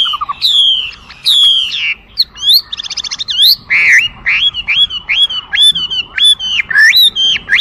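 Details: Chinese hwamei with loud varied song: slurred whistles, a brief buzzy trill, then a rhythmic run of repeated arched whistles about twice a second; low background rumble.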